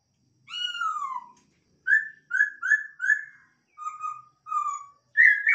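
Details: Captive-bred masked laughingthrush: a long, descending, rich whistle, then a quick run of short, arched whistled notes, then several flatter, lower notes, ending on a higher rising note. The background is quiet.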